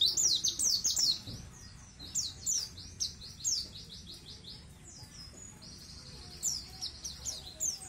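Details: Tutor song of a white-eye (pleci) for teaching untrained birds to open up and sing at length: bursts of high, sweet twittering separated by softer stretches of steady thin warbling in the background.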